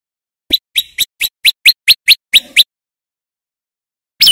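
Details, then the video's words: Male prinia song used to lure birds in the wild: about ten sharp, evenly spaced chirping notes, roughly four per second, each a quick high downward flick, then silence and a final note. "Suara Prenjak Lumut Gacor Untuk Pikat Semua Burung Perenjak / Ciblek & Cinenen Di Alam Liar"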